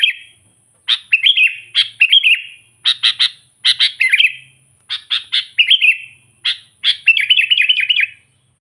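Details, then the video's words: Sooty-headed bulbul song meant to provoke opponents: crisp clicking notes, each introducing a quick warbled phrase, repeated in bursts about once a second, closing with a longer trilling warble. "suara burung kutilang gacor memanggil kutilang liar suara asli alami"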